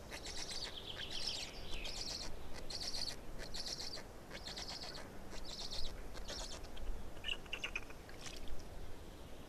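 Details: Black stork chicks, Estonia, 18.05.2019, around the fourth chick's arrival: a run of rasping high bursts roughly twice a second, thinning out toward the end over a constant low hum.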